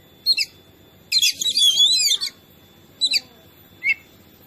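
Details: Oriental magpie-robin (kacer) in a training recording meant to make other birds agitated: a dense, scratchy, warbled burst lasting over a second, then a few short clipped chirps and a single whistled note.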